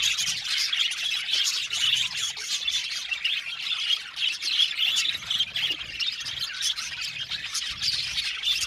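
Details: Many aviary budgerigars chatter at once, a thick wash of high twittering, squeaks and scratchy squawks that never lets up across the whole stretch.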